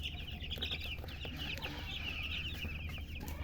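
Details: Baby chickens peeping nonstop, with many bright, quick, high chirps tumbling over one another throughout, above a constant low droning hum.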